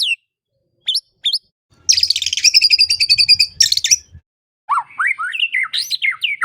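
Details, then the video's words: Magpie-robin song for retraining a bird that has gone silent: a few sharp whistled notes, then a dense buzzy, scratchy chatter, followed by a series of quick descending whistles. "Audio Refleksi atau latihan untuk burung murai yang mogok bunyi"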